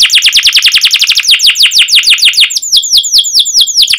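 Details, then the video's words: Domestic canary singing with sharp 'cuit cuit' notes: a very rapid run of downslurred chirps that slows into spaced, sweeping falling whistles about twice a second. "Kenari GACOR PANJANG Cuit CUIT EMOSI"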